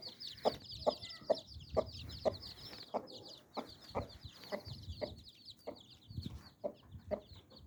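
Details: Mother hen with nine baby chicks: low, regular clucks roughly every half second, under a continuous layer of high, chirping chick peeps.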